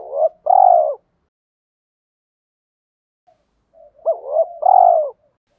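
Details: Spotted dove decoy, male and female, calling to incite wild birds to fight: the end of a loud long coo, a silent gap, then two quick notes and another full drawn-out coo.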